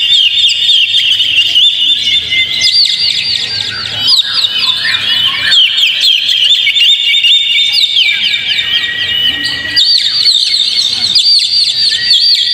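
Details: Lure song of the Oriental magpie-robin meant to make a kept bird sing: long, rich, non-stop medley of high whistles, rapid trills and chattering phrases, pitch jumping between bursts, with brief lower rasping notes mixed in.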